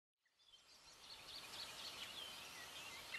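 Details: European bee-eaters in South Moravia giving many soft, overlapping rolling calls in the upper-middle pitch range. A steady hiss of background noise lies beneath the calls, which form a continuous chatter.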